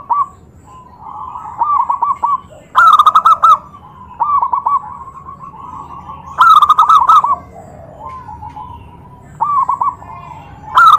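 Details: Zebra dove call meant to provoke other zebra doves into replying; bursts of rolling, stuttering coos every few seconds, with louder bright phrases from a closer bird alternating with softer distant answers.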